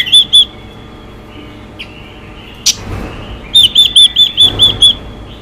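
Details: Female Chinese hwamei rousing males: two sharp high notes, a quiet stretch with a brief click, then a quick burst of seven repeated ringing notes, evenly spaced.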